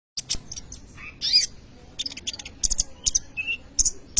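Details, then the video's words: Kolibri ninja sunbird singing vigorously, a recording meant as a lure or tutor for young birds: scattered sharp high chirps and short buzzy bursts, with a brief thin whistle near the middle, separated by irregular pauses. "kolibri ninja gacor cocok untuk pancingan atau maateran burung bahan"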